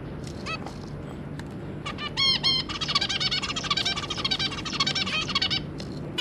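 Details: A zebra finch pair with three juvenile offspring, recorded 2 August 2022: scattered clicks and two loud nasal beeps lead into about three seconds of quick, buzzy, chattering song.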